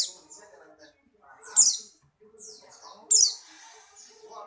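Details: White-eye, Buxtoni form, strongly in breeding condition and hopping: two loud, bright, high-pitched chirp bursts about one and a half seconds apart, with lighter twittering around them and murmured human speech underneath.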